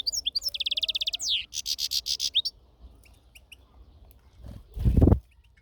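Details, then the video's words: European goldfinch in a natural setting singing bright, tinkling notes. First comes a rapid run of high repeated chips, then a second quick trilled burst. After that it goes quiet, and a low thud comes near the end. "طائرالحسون في السلاكة الطبيعة"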